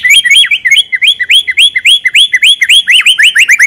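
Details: White-rumped shama singing without pause, full of varied fill phrases, suited as a lure for other birds: an even stream of rising and falling whistled slurs repeated several times a second, bright and loud.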